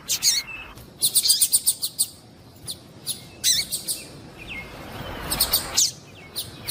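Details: Female Papa-capim calling, a sound used to excite the male. Short high chirps, some grouped in rapid bursts near 1 and 3.5 seconds, others scattered single notes, with faint thin whistles between.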